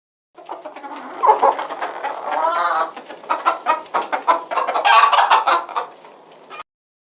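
A hen clucks in quick, uneven bursts, several short nasal notes per second with a few drawn-out squawks between them.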